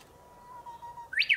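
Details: Japanese bush warbler on a tall treetop in the morning, singing a low, drawn-out whistle that rises slightly, then breaks into the start of a bright, high flourish cut short at the end.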